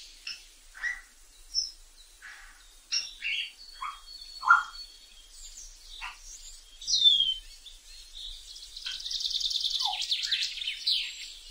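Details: Wild African grey parrot giving many short, varied calls: squawks, clicks and brief whistles at irregular intervals, a downward-swept note near the middle, then a burst of buzzy, high chatter toward the end.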